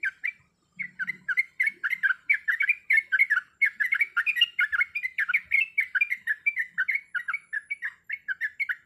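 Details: Female sooty-headed bulbul in breeding condition calls the male with a few bubbly notes, a short pause, then a long steady rattle of quick, burbling chirps. A soft low murmur sounds near the start.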